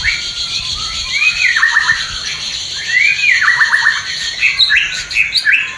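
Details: White-rumped shama mating call from a new pair yet to breed, used to raise breeding desire: two arching whistled notes, each followed by a quick descending series of short notes, then scattered high chirps.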